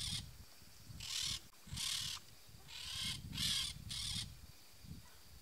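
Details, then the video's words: A peach-fronted parakeet (Eupsittula aurea) gives six harsh, grating screeches, each under a second, spaced irregularly over a low background rumble. "PERIQUITO-REI canto"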